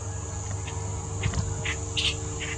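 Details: Clamorous reed warbler in Bengaluru, March 2021: a few short harsh chattering notes in quick succession, rising toward the end, over a steady high insect whine and a low rumbling hum.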